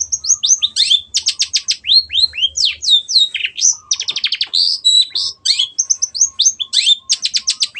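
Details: Lively Long-tailed shrike song for tutoring other songbirds: fast medley of slurred whistles, dry rattling trills and chattering bursts, continuous and highly varied over several seconds.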